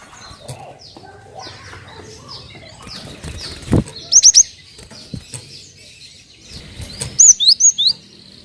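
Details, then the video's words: Cinereous tit whistles used as a lure for other birds' song: background chirping from other birds, then a fast group of five high whistles and later another loud run of four to five swooping notes. "PANCINGAN BURUNG GELATIK BATU"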